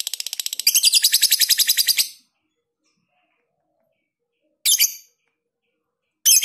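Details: Lovebird in long ngekek song with close gaps, used as a tutor recording: a rapid, high chattering trill lasting two seconds that grows louder midway, followed by two short, sharp calls after a pause.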